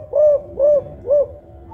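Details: Spotted dove of the Songgo Ratu line with a five-note cooing style, loud-voiced and used as a lure for other doves: three deep, even coos at about half-second intervals, each rising slightly and falling away.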